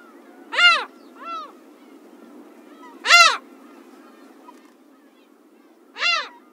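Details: Slaty-backed gull, a rare winter visitor along the coast of Pingtung County, Taiwan, recorded 2016-02-01: loud, harmonic-rich, rising-then-falling yelping calls, three strong and one softer, spaced roughly every two to three seconds over a steady low hum.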